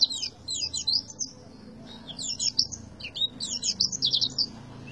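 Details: Oriental white-eye singing in the tembakan style: rapid, high-pitched twittering bursts of sharp chirps and trills, delivered in three quick-fire phrases separated by brief pauses, over a faint low background hum.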